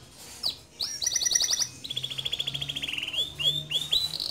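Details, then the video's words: Male canary song for tutoring young canaries: high rapid trills, a long buzzy roll dropping slightly in pitch, and downslurred notes, over a faint low hum. "Suara Kicau Kenari Jantan Gacor Ngerol Nembak Cocok Dijadikan Masteran Kenari Muda"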